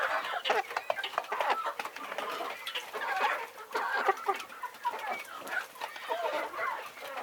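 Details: A chicken flock on a farm clucks continuously, with many birds calling over each other in a dense, chattering mix of short clucks and harsher squawks.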